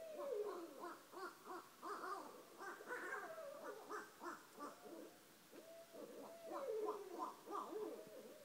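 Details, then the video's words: Two barred owls that live by a house call together at 1:30 am, loud enough to wake someone with windows open: a frenzied, cackling duet of rising and falling hoots, pulsing continuously with sliding wails. "Two Barred Owls at 1:30 am"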